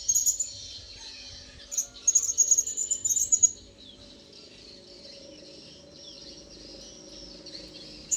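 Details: Approaching wild blue-crowned hanging parrot: a brief, quick series of piercing high chirps near the start, then several seconds of steady insect-like hiss.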